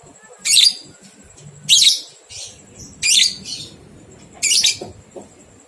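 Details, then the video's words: Lovebird 123-beat training recording to stimulate two-month-old young birds into ngekek; loud, harsh, high chattering bursts recur roughly every 1.3 seconds, with softer chips between, over a faint continuous high whine. "Masteran Lovebird Paud 123 Ketukan Terbukti Ampuh Merangsang balibu 2 bulan Ikut Ngekek"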